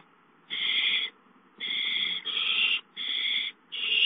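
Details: At a nest where an owl delivers a gopher, a run of five rasping, hiss-like bursts comes in uneven succession, some nearly back to back, over quiet background rustle.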